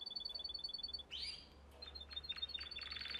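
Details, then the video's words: Canary song for training young canaries, faint: rapid paired high pips, a sudden upward sweep, then soft staccato notes and a buzzy roll near the end. "Most powerful song for training Canary"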